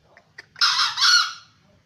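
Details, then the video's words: A 7-month-old green junglefowl crows once: a hoarse, harsh two-part call lasting under a second, the second part slightly louder, preceded by a few faint clicks, with quiet background otherwise. "Kokok ayam hutan hijau usia 7 bulan"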